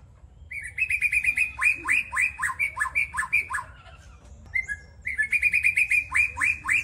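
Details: Young forest-caught white-rumped shama giving its legreg phrases: rapid runs of sharp, downward-sweeping notes about six per second, a brief pause, then a second matching burst. The setting is quiet apart from a faint low hum.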